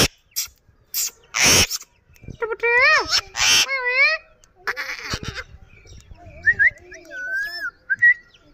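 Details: Talking green ring-necked parakeet, a Kashmiri tota, gives sharp noisy bursts, then squeaky speech-like syllables with bending tones, followed by thin whistled notes and brief clicks after short pauses.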